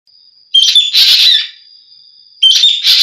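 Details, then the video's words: Ekek geling, a green magpie recorded for songbird keepers to train their birds: two loud, harsh, buzzy bursts with squeaky whistled onsets, separated by a pause, over a faint steady high whine. "suara burung ekek geling"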